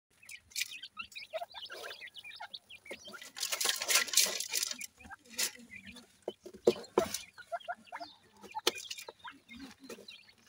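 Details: Grey francolin (teetar) chicks playing together and feeding; short, high, sharp chirps scattered throughout at an uneven rapid pace, mixed with bursts of loud broadband rustling and scratching noise, heaviest around the middle.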